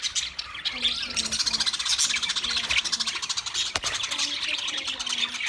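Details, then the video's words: Budgerigar flock twittering in a fast, buzzy high chatter with a rubbing, scraping quality, accompanied by short low tonal notes, and a sharp click midway. "Wildlife Budgies Birds Nature Sounds"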